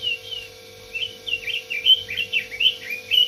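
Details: Red-billed leiothrix warbling a fast sequence of sweet whistled notes, some sliding down, some bending up, in an almost unbroken flow after an opening pair of long whistles; a low hum persists throughout.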